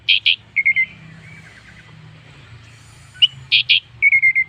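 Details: Orange-headed thrush singing as a lure to start other birds singing: loud paired whistled notes open and close the passage, with quieter slurred phrases between, and a final fast series of four even notes.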